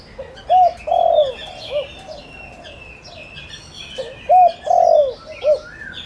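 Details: Spotted dove kept as a decoy, cooing to lure and provoke wild doves. Two low cooing phrases about four seconds apart, each a short coo, a longer rolling coo and a clipped final note. Faint chirps of other birds sound higher up.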